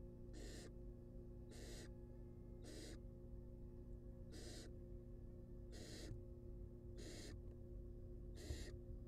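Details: Barn owl young in a wild nest box begging while fed, seven evenly paced rasping hisses roughly every second and a quarter, steady low hum behind.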